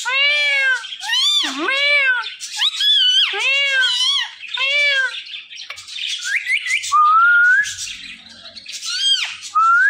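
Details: Pet parrot calling in a long run of loud, arching, harsh squawks, then two rising whistled notes near the end.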